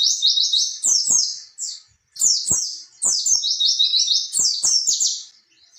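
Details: Lively song of an oriental white-eye used as a training recording for young captive birds: fast chains of high, sliding chirps running almost without break, one brief gap, and scattered soft clicks in the background.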